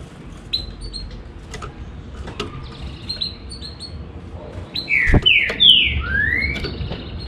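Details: Green-winged saltator giving one short phrase of three or four loud slurred whistles, the last rising, after several seconds of faint high chirps and clicks over a steady low hum.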